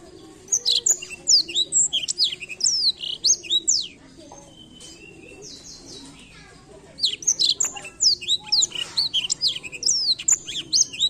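Blackthroat singing in quick bursts of thin, high, sweeping chirps and trills, pausing about three seconds mid-phrase before resuming just as rapidly.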